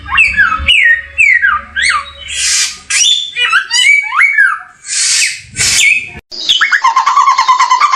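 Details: Samyong bird singing a varied, loud run of whistled and squawky notes, sweeping down and up, with harsh bursts between them; the last seconds turn into a fast buzzy, repeated rattling phrase.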